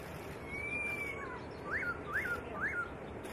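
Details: White-rumped shama singing on a songbird training master: a long even whistle gently arching, then three loud peaked notes, each rising sharply and falling back, heard over steady hiss.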